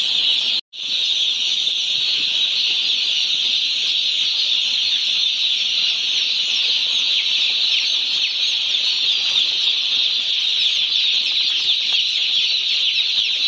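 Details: Day-old chickens at a poultry farm chirp in a continuous, shrill mass of peeps. The sound drops out briefly near the start, then the chorus resumes unchanged.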